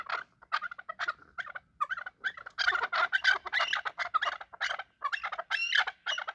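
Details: Chukar during a fight: excited, rasping chuck notes in irregular clusters, swelling into a dense chattering run near the middle, with a few higher squealing notes near the end.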